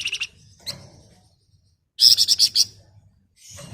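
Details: Flamboyan bird giving a brief ngebren rapat, nyerecet phrase: a quick triple chip, a lone note, then a strong run of about six fast, high ringing pulses.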